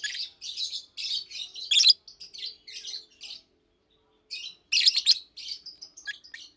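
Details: Daytime chirping from two caged adult Fischer's lovebirds, a blue and a pastel green bird: clusters of shrill, scratchy chirps, a loud squeal near two seconds, a pause, then a fresh burst of twittering.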